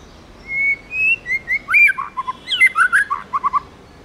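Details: White-rumped shama, a tamed bird, sings forest-style song: a long level whistle rising slightly, spaced clear notes, then a fast burst of tumbling, twisting chirps ending in clipped low notes.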